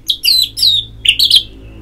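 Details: Orange-headed thrush ngeplong song, used as therapy to get birds singing: bright, high, ringing whistled phrases with quick slurred twists, two short bursts in under two seconds.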